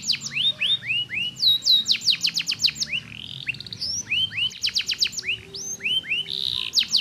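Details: Canary song intended to prompt reluctant canaries to sing: lively mix of rising whistled slurs and fast rattling trills of descending notes, about four notes per second, with a soft background hum.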